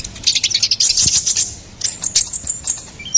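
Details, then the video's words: Ruby-cheeked sunbird (konin kolibri ninja) song used as a tutor and lure for songbirds: rapid high, thin chirps and twittering notes in quick bursts with short pauses. "SUARA GACORAN KONIN KOLIBRI NINJA SERBAGUNA PALING AMPUH"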